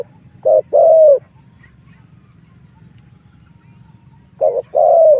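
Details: Spotted dove coo used as a lure to bring wild doves in to fight; two phrases, each a short coo followed by a longer slightly falling coo, with quiet between them.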